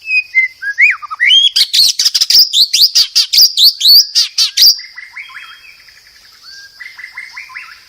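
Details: White-rumped shama (murai batu) masteran song, used as tutor song for training birds: a rapid run of loud sweeping whistles and sharp clicking notes, then softer twittering phrases, all over a steady high-pitched background hum.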